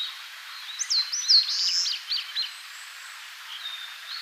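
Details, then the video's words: Wild Eastern crowned warbler singing in Tainai, Japan: a high, buzzy phrase of rapid slurred notes rising and falling, ending in a drawn-out buzz, the phrase rendered locally as chiyo-chiyo-bii; a faint thin whistle follows over a steady background hiss. "センダイムシクイ（1）さえずり（胎内市） - Eastern crowned willow warbler"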